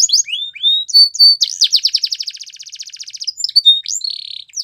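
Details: Singing canary from a training song: sweeping whistles, then a long rapid rattling trill of close-set notes, ending in a buzzy flat tone and brief chirps.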